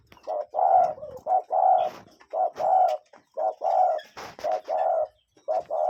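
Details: A cuckoo in nature, recorded from a real bird: evenly paced hollow double notes, short then long, following one another roughly every second throughout, with a few faint sharp clicks in the background.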